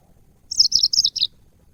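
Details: A single short yellow-fronted canary phrase from a cage-bird training recording: about five bright, rapid chirps that step gradually downward in pitch, lasting under a second, with soft low background noise.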